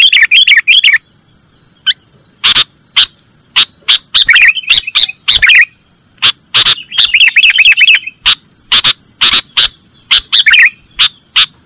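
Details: Sooty-headed bulbul, 'nggaruda' song style used to train cage birds: an opening warble, then many separate sharp ticks and chirps, and a longer bubbling run of rapid notes near the middle.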